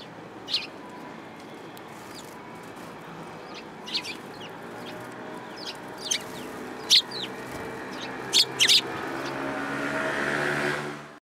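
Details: Sparrows at a shrine approach path, photographed in February 2022; short, sharp high chirps come singly and in quick pairs every second or two over a steady background hum.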